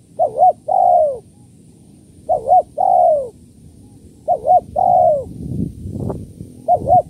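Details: Spotted dove calling in kuk 1-2 style, used to lure doves: three phrases of two short coos and a long falling coo about every two seconds, a brief thump-like noise, then a new phrase starting.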